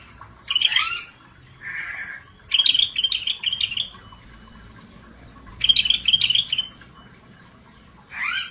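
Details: Scaly-breasted bulbul, sung 'gacor dor': repeated loud phrases of rapid, bright chattering whistles, some opening with steep falling sweeps, plus a softer, lower buzzy note between them.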